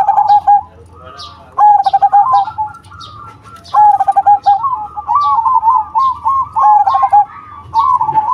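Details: Cemani zebra dove singing strongly with a big voice: bursts of quick, bubbling coo phrases follow one another closely, with a short pause in between. Faint high chirps from small birds sound in the background.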